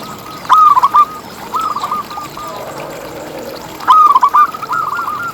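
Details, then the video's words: Song of local zebra doves, used to lure zebra doves into singing: two loud bursts of rapid, staccato rolling coos, separated by quieter coo phrases from other doves, with soft background noise. "Lokal Gacor Suara Paling ISTIMEWAcUntuk Pancingan Burung Perkutut Agar BunyiTerus"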